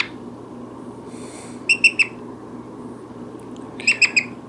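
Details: Brown-headed parrot kept as a pet indoors, chatty, producing two clipped bursts of three fast high chirps separated by about two seconds of quiet, with a soft breathy sound before the first burst and faint room hum.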